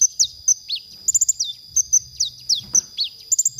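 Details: Konin song used as masteran for training songbirds: clear high whistled notes, some sliding downward, mixed with quick bursts of three or four rapid ticks, repeated throughout.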